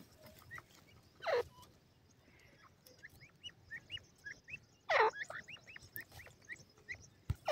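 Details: Francolin (teetar) calling: two loud, harsh downward-sweeping bursts about four seconds apart, with a scatter of small hooked, whistled notes between them over a quiet background.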